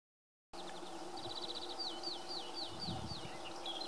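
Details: Barred warbler song at Vesslö, Kalmar, on 21 May 2016: a quick chattering rattle, then a run of fast, scratchy slurred phrases, each dipping in pitch, over a steady low rumble.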